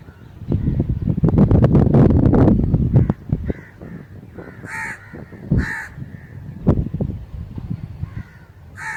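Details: Loud low rustling and thudding noises first, then a crow's series of short, rasping caws given singly and in pairs, with bursts of the low noise recurring.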